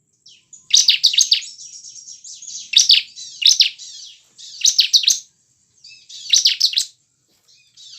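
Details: Bar-winged prinia song played to prompt caged birds to sing. Sharp, high, rattling trill bursts come about once a second and are linked by quieter, continuous thin, hissy twitters.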